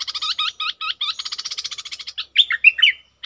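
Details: Red-whiskered bulbul decoy bird, a caged lure, giving a fast series of short hooked chirps, then louder slurred whistled notes dipping and rising, ending with a brief rapid chatter.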